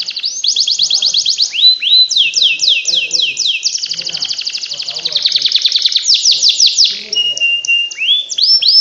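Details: Canary song used to get lazy canaries singing: repeated upswept whistles in quick series alternating with buzzy trills and a steady held tone, with faint low murmuring in the background.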